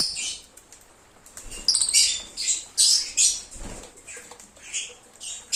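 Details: Lovebirds chirping and singing in cheerful bursts: sharp, piercing high squeaks and twittering notes in clusters about every half second, separated by quieter gaps with faint background rustle.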